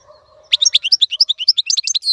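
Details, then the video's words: European goldfinch song for training young birds, starting after a faint low hum with a steady series of quick, high, sharp chirping notes ending in a drawn-out tone. "افضل مقنين لتسميع الفراخ. مقنين جميل جدا لتعليم الفراخ"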